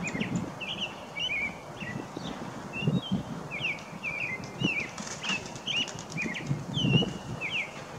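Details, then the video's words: Backyard American robin in Wisconsin singing a run of clear, warbled whistled phrases with short pauses, joined midway by a burst of sharp clicks and low bumping sounds. "American Robin Song Call"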